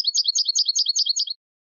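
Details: A brief burst of fast, rolling European goldfinch twittering, repeated high notes for just over a second before stopping.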